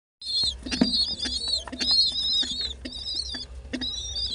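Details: Young pet pigeon giving high, thin squeaky calls in drawn-out wavering notes, about five in four seconds. Soft low murmuring sits beneath them, along with scratchy rustling.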